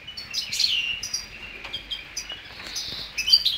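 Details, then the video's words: A greenfinch × canary hybrid (greenfinch crossed with a female canary) sings a fast, high twittering song of bright chirps and trills, loudest early on, then softer rolling phrases. "Mixto Verderone x Canarina"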